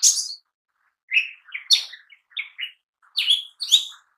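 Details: Lesser green leafbird (cucak ijo mini) in full vigorous song, used for luring and daily tutoring: an opening high burst, then varied short whistled and chirped notes in quick clusters separated by brief pauses.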